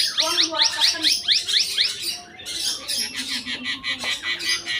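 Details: A tame Red-eyed bulbul sings a full song with many phrases: a run of about ten quick rising whistled notes repeated evenly, then a burst of buzzy, pulsing chatter; a low hum underneath.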